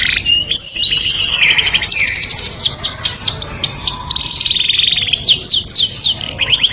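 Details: Canary singing a melodious song that attracts the opposite sex. Fast buzzy trills and repeated downward-sweeping whistled notes follow each other without pause, ending in a run of quick rising slurs.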